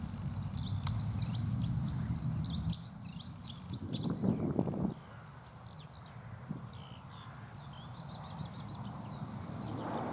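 A Dunnock's high, hurried, jingling warble runs for a few seconds, then thins to scattered thin notes, over a low rumble of wind.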